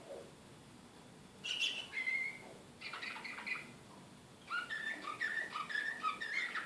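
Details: Canary of the Serbian slavujar type, Belgrade, 2014, described as excited. Short bursts of song separated by silences: a bright whistle, a chattering phrase, then a run of alternating piping notes.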